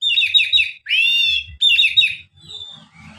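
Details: Oriental magpie-robin singing relaxed, used as a lure to prompt reluctant magpie-robins to sing: loud, clear whistled phrases of quick repeated chirpy notes, a rising slurred whistle, then more rapid chirps, with faint room noise.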